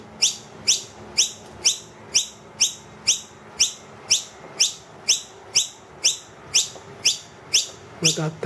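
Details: Wild noisy miner that brought two young indoors, loudly begging because the food box is empty; strong sharp upswept chips repeated steadily twice a second, a brief rustle at the end.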